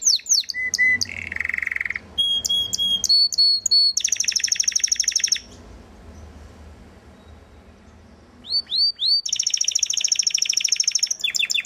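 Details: Belgian canary of the galador type singing short whistles and a buzzy low tour, then a long fast high trill, a pause of near silence around six to eight seconds, and another bright trill.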